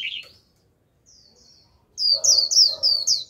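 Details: Japanese white-eye used as a lure for a wild flock, 'líu' song: a lower slurred note, a quiet pause, then a fast run of high thin twittering notes over a softer lower humming tone.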